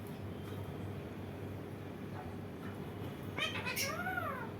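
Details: A rose-ringed parakeet (Psittacula krameri), an Indian ringneck, gives two or three drawn-out, tonal calls that arch and fall, almost meow-like, after a quiet stretch of steady indoor background hum.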